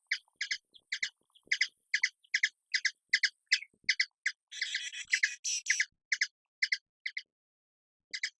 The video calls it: HUMMINGBIRD SOUND - HUMMINGBIRD SOUND EFFECT - SOUND OF HUMMINGBIRD - NOISE OF HUMMINGBIRD